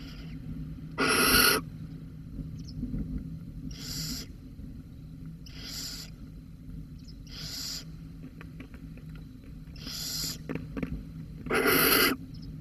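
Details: Recorded at Holten on 13 May 2020, a barn owl calling with a mouse involved gives six short, rasping hisses spread at irregular intervals of about two seconds, against a soft low background hum.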